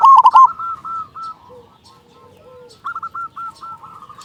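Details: Local zebra dove singing steadily as a lure for other doves; a brief loud rolling coo at the start, then soft hooked notes, a lull, and a fresh run of clipped coos.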